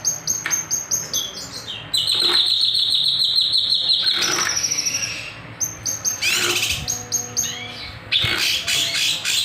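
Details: Kinoy bird singing for a lure recording: fast repeated clicking notes lead into a sustained, high, buzzy trill, then sharp sweeping bursts.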